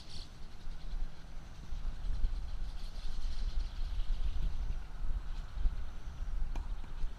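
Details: Steady low rumble of passing vehicles outdoors with faint broadband street noise and a few short clicks, no animal voices.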